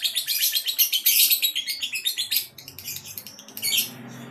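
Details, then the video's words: Male lovebird being checked for readiness for a singing contest gives fast, high, scratchy chirps and twitters in dense bursts that thin out and pause near the end. "CARA Mengetahui LOVEBIRD Jantan siap LOMBA??"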